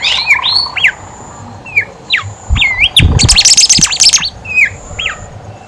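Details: Horsfield's babbler song meant to stir silent babblers into singing: spaced, sliding whistled notes with a few dull knocks, then a rapid shrill chattering outburst and trailing whistled slurs.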